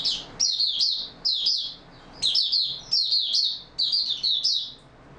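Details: Stable-form singing from an Oriental white-eye, recorded 28 February 2022: a lively series of high, squeaky chirped phrases, each of two or three quick sliding notes, repeated with short gaps.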